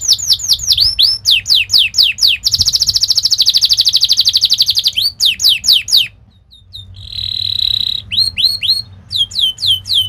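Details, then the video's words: Canary song played to teach young canaries to sing: quick descending whistled sweeps, a long buzzy rolling trill, a brief pause, then a steady high trill and more falling sweeps. "Kenari gacor Speed Tajam cuit cuit NgeroL | pancingan kenari ini Sukses bikin kenari Ngerol EMOSI"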